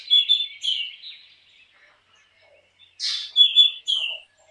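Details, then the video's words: Black drongo whistling clear, slightly falling notes, a quiet pause, then a loud harsh rasping call and two more ringing whistles. "Black drongo Singing Song ! Black drongo Call ! Black drongo Sounds ! Black drongo Vocals"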